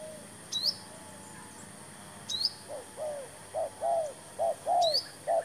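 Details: Spotted dove used as a decoy for trapping, a newly brought bird tried with a new trap: after a pause, low arched coos roll out in a quick uneven series, with thin high chirps from another bird above.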